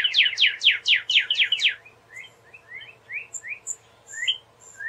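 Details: Northern cardinal singing a fast series of loud downslurred whistles, about six in a row. Softer short upslurred notes follow, with faint high chips above.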